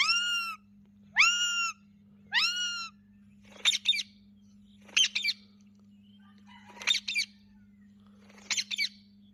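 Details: Captive blue and green Rose-ringed parakeets giving natural talking sounds: three nasal rising squawks about a second apart, then sharp high double chirps repeated every second or two over a low steady hum.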